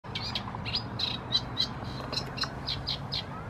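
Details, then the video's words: Eurasian reed warbler singing in Herzliya Park (Ha-Basa reserve), Israel, on 9 May 2015: a chattering run of short, scratchy notes, about four a second, over a low background rumble. "שירת קנית קטנה - Eurasian reed warbler song"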